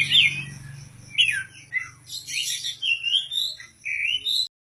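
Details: Indonesian contest-ready caged oriental magpie-robin with good song material: sharp squawky notes and falling whistles, a burst of harsh noise, then a run of warbled whistles ending abruptly, low hum beneath.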